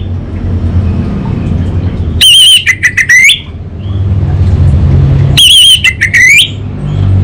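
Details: Kabel konslet song of an orange-headed thrush (anis bata): two intense whistled bursts about three seconds apart, each a slurred rising-falling whistle followed by rapid notes, with low rumbling hum between.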